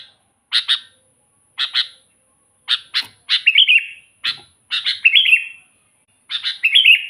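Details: Chattering sooty-headed bulbul song meant to attract wild bulbuls: paired sharp chirps repeated about every second, broken by longer bubbling, descending warbled phrases, with a faint continuous high-pitched hiss in the background.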